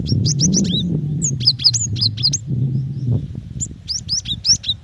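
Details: A female cinereous tit calling a male gives quick rising whistles in fast series, with buzzy notes and descending hooked whistles, over a constant low droning hum.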